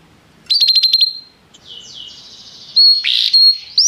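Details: Restless canary song: a quick buzzy trill of high notes, then a run of sliding downswept whistles and sharp bright bursts, all very high-pitched.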